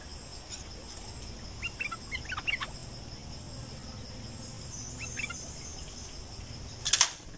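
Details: Bulbul in breeding season, wild and lured toward dusk: a burst of short rising whistled notes, then a quieter pair, over a continuous high insect buzz, ending in a sharp loud click.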